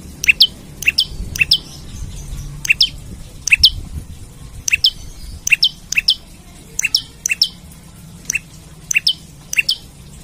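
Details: Vocal olive-backed tailorbird calling out for an opponent, a recording meant for luring and tutoring birds: sixteen or so shrill, snapping chirp pairs at a steady brisk pace, clean and loud against a quiet low rumble.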